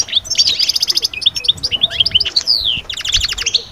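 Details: European goldfinch song played to lift birds out of moult into summer breeding mood: bright tinkling twitters, fast repeated buzzy notes and a sliding whistle, lively and continuous.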